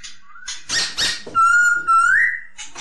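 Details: Masked laughingthrush (poksay hongkong) singing: a few harsh, noisy bursts give way to a long, steady whistle that climbs near the end, then brief rough notes.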